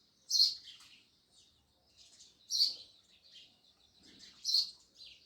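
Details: Sparrows chirping: three loud, harsh chirps about two seconds apart, each trailed by softer chatter, with faint low background noise.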